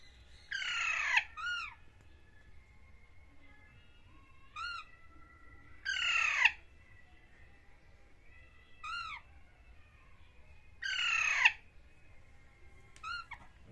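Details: Baby parrots communicating with each other: loud, harsh raspy squawks about every five seconds, each trailed by short arched chirps, with softer piping notes in between; quiet background.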